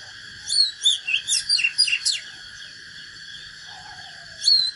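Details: Oriental magpie-robin giving a natural duelling song: one rushed phrase of about eight piercing, downward-sweeping whistles, then quiet, then a single fresh note, all over a constant high hum.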